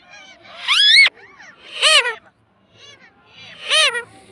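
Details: Household parrot saying "mummy": a rising, squeaky two-part utterance cut off sharply, then two arched, harmonic voiced bursts spaced under two seconds apart, and soft low murmurs in the background.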